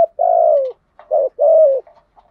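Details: Spotted dove used as a decoy bird, cooing to provoke wild rivals: a drawn-out, slightly falling coo, a short clipped note, then another long falling coo, all low and mellow in a quiet room.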